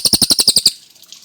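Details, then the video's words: Tit-babbler (cililin) singing vigorously and clearly, a training recording for murai batu: a quick run of eight harsh, buzzy, evenly spaced notes in under a second, then quiet. "Masteran Burung Cililin Gacor Jernih Ngotot"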